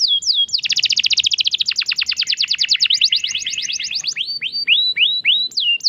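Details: Canary song used to prompt silent canaries to sing: sweeping down-slurred whistles, then a fast rattling trill of about three seconds, ending in repeated high descending notes.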